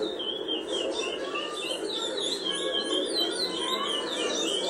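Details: Curió, a young bird still in brown plumage, bred in captivity and described as a little shy: clear whistled song phrases with sliding notes, repeated rapidly, over a steady background hum.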